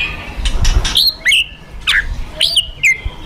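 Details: White-rumped shama, fighter bird, provoked song: bright whistled notes with sharp downward and upward hooks, each a brief swooping phrase spaced about half a second apart, over faint low rumble.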